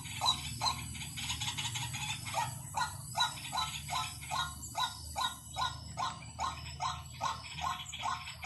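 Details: Lure call of a white-breasted waterhen: rapid, evenly spaced croaking notes about twice and a half per second continue throughout over a constant low hum and a hissy background.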